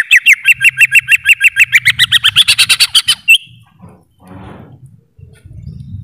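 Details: Greater green leafbird singing a fast run of loud, clipped whistled notes, about five per second, for three seconds. The notes climb slightly and grow denser toward the end before stopping abruptly. Faint low rumbling and murmur follow.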